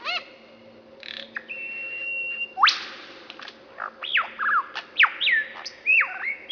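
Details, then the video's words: Mimicking lyrebird in woodland delivering a mix of sounds: a flat held tone, a steep upward sweep, then separate whistled notes that jump up and slide down, each followed by short gaps. "Lyrebird repeats sounds it hears in forest (Chainsaw)"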